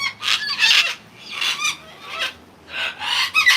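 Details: A wild flock of sulphur-crested cockatoos at sunset after a day of torrential rain, excited as they work out who takes off first for the night: harsh, raspy screeches in four ragged, overlapping bursts over a few seconds.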